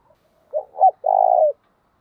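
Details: Spotted dove cooing as a decoy to draw males: two short hollow notes, then one long, steady, slightly vibrating coo that drops at its close, low and soft in tone.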